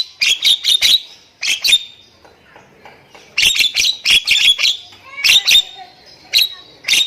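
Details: Song of a kept Nias hill myna used to coax mute mynas into singing: fast runs of harsh, loud squawking notes in bursts, separated by quieter gaps with faint chatter.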